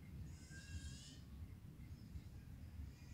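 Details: Olive-headed lorikeet feeding, giving one harsh, screechy call with a stack of bright overtones lasting nearly a second. Only faint chirps follow over a steady low rumble of background noise.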